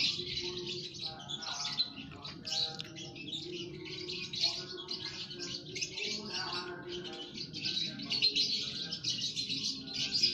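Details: Colony of lovebirds kept in an aviary, all calling at once: a steady wash of shrill, buzzy chirps and squeaks without pause, with fainter lower harmonic notes beneath.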